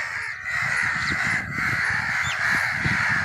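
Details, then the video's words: Crow calls meant to attract crows: a steady wall of harsh cawing from several birds blending together, with low background rumble throughout. "Crow sounds to attract crows"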